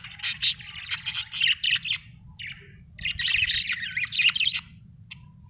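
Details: Happy pet budgerigar chirping: bursts of bright, scratchy chirps and short warbles in two busy phrases separated by a brief pause, over a steady low hum.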